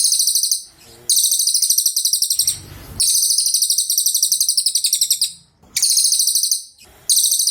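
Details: Cililin singing: very high, rapid buzzy trills in long bursts, broken by short pauses, with a faint low rustle between phrases.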